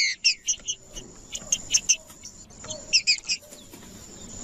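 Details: Green-winged saltator song used to warm up a male for singing: bursts of short, bright, harmonic chirps in quick clusters with brief pauses between, over a faint steady high tone.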